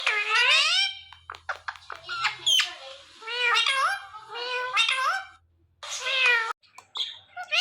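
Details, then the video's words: Pet male Indian ringneck parrot watching its own videos, giving a run of harmonic, speech-like phrases with rising and falling whistled tones, separated by short squawky bursts and brief pauses. "Cute Ringneck Parrot Watching His Own Videos"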